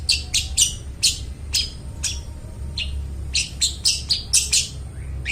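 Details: Long-tailed shrike song meant to coax mute shrikes into singing: scratchy, noisy notes in irregular bursts, paired harsh calls alternating with short gaps, ending in a rapid series of rasping notes, low hum beneath.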